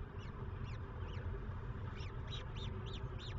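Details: Peregrine falcon at the nest where the first chick appeared, afternoon from 13:52, 26 April 2023; a series of high, thin, down-slurred chevron notes, roughly ten in three seconds, over a steady low rumble.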